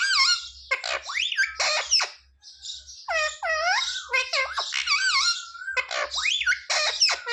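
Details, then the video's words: Pet parrot talking indoors, mimicking Hindi words such as "mummy" and "papa", with phrases like "give roti". Squeaky, speech-like syllables with sliding, warbling tones come in quick bursts, and short pauses separate the phrases. "Parrot talking mummy mithu ko roti do"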